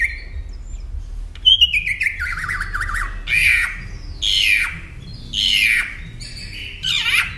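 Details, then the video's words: Northern mockingbird song used as a training recording for caged songbirds: a long descending warbled phrase, then harsh buzzy notes repeated about three times, each sweeping downward, with low background rumble. "Masteran Pintar Burung Kicau Northern Mockingbird"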